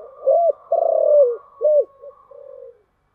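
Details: Lure cooing in the thổ voice style from a spotted dove: a clear, low phrase of a short coo, a long, throbbing, rolling note, another short coo and two soft trailing notes.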